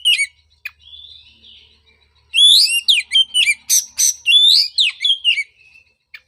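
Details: Oriental magpie-robin song for coaxing a post-moult bird back into singing: a few soft whistled notes, then a rapid burst of bright ringing whistles and sweeping slurs, ending with a thin trailing note.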